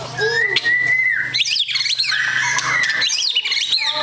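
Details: Singing white-rumped shama, long-tailed fighter bird, gives long level whistles broken by harsh, scratchy squawking flourishes, with a low steady hum beneath.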